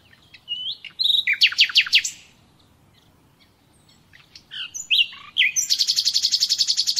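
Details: Common nightingale song for training captive birds: rising whistles, a cluster of loud sweeping chirps, a pause, then a long, evenly paced rapid trill of repeated notes.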